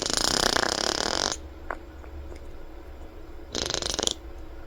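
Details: A pet monk (Quaker) parakeet, tongue out, blows wet, buzzy raspberries in two sputtering bursts.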